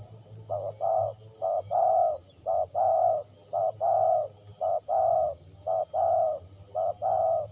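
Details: Spotted dove used for luring in a fight test by bird catchers at Liwa, West Lampung, Indonesia: mellow, low coos in short groups, roughly one note per second, with a steady high whine in the background.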